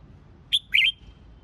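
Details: Brief red-whiskered bulbul phrase from fighting-song training: one sharp whistled note followed by a rich, warbling slurred whistle.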